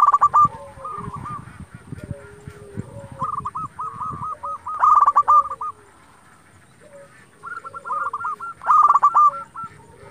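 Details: Zebra dove song used to stir rival doves into replying: bursts of fast, bright trilled coos about every four seconds, overlapping lower slurred coos from other doves, with quieter stretches between the loud bursts.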